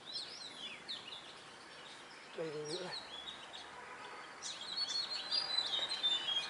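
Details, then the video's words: Oriental magpie-robin singing in the wild: varied high whistles, slurred notes and chirps, busiest in the last two seconds, over steady outdoor hiss, with a brief low human voice midway. "Chic Chòe than hót ngoài thiên nhiên"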